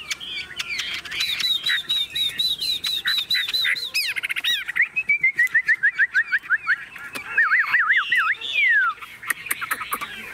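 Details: Caged Chinese hwamei, tame and unafraid of people, singing while its cage is shaken: varied loud whistled phrases, rapid repeated notes and sweeping slurred whistles, with a man talking nearby.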